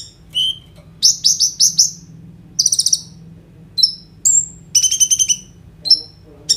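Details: Kolibri ninja sunbird singing energetically ('gacor'), captured on an Oppo A37f phone as a prompt for konin birds: rapid bursts of high buzzy trills, short whistled slurs and bright chips separated by brief pauses, faint low background hum.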